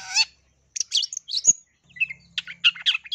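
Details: Cendet, the long-tailed shrike, giving a lure song filled with tree sparrow mimicry meant to spur other shrikes into song: scratchy high chirps and sharp whistled notes in short bursts separated by brief pauses, one faint low hum.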